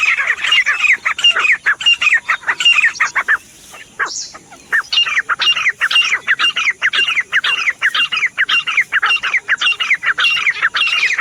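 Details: Loud, insistent Grey Francolin (teetar) calling, a continuous stream of harsh, squeaky repeated notes broken by one brief pause midway before resuming steadily.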